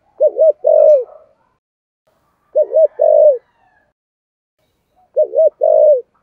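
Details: Spotted dove, 'thổ sấm' voice in 'thúc gù' style: three well-spaced low phrases, each a quick double-humped note then a long coo sliding down at the end, about two and a half seconds apart.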